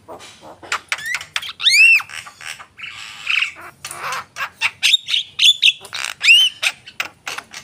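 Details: Javan myna in full song: sharp clicking notes and harsh squawks mixed with several looping, bending whistles, delivered in a busy, continuous stream.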